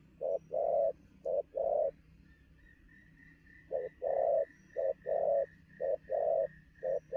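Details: Spotted dove, freshly trapped, giving speedy noon coos: low paired notes roughly each second, while another bird repeats a thin high whistle steadily behind it.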